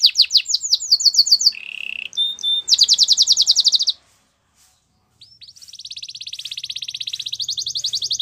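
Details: A Belgian canary sings a rapid trill, a lower buzzy phrase, a short whistled note and a loud rolling trill, then falls silent briefly before starting a long, steady, fast-pulsed trill.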